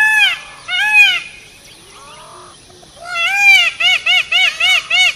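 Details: Peafowl calling: two loud, nasal, arched notes rich in harmonics, a quiet gap with fainter lower calls, then a quick run of about seven short, ringing notes in steady rhythm.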